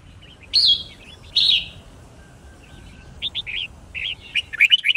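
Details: Red-whiskered bulbul fighting song used to train birds to learn songs quickly: two loud slurred whistled notes, then a pause and a string of short bright warbled notes near the end. Low background hiss.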